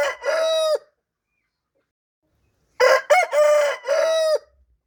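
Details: Rooster crowing: two harmonic-rich crows, a short one at the start and a longer broken one after nearly two seconds of silence, each ending in a level held note.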